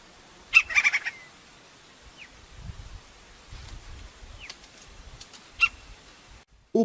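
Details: Crimson-crested woodpecker, Campephilus melanoleucos, in the wild: one short harsh burst of rapid repeated notes lasting about half a second, then scattered faint sounds and a quiet natural background.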